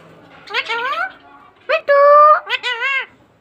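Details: Talking pet green parrot mimicking speech: harmonic, wavy, voice-like phrases in two bursts, then a long steady tone and arched syllables, with a quiet room behind.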